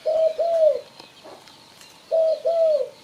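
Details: Spotted dove call used to lure birds for trapping: two clean pairs of soft, hollow coos, each pair a short note followed by a longer, slightly falling one, separated by a pause of over a second.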